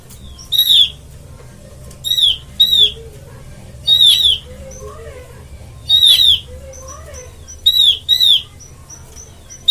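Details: Oriental white-eye lure call for bird trapping: short, harsh, downslurred notes, some doubled, repeated about every two seconds, eight calls in all. Fainter thin whistles and a low steady hum sit behind them.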